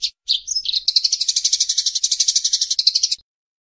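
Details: Eurasian tree sparrows (burung gereja) fighting: a dense, rapid chattering rattle of harsh notes, about four per second, running for nearly three seconds after a few opening chirps, on a quiet background.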